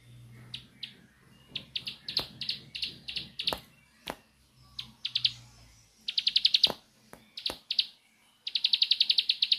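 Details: Bar-winged prinia singing in the 'nembak' style: short bursts of rapid, evenly pulsed high notes, several per second, separated by pauses, with sharp broadband clicks and a low hum underneath.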